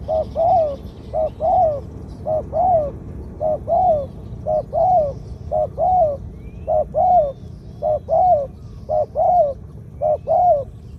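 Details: A caged spotted dove used as a decoy sings the two-note 'kuk khu-ang' style with a mid-range voice, giving ten or so evenly spaced pairs of a short coo then a longer bowed coo in steady rhythm.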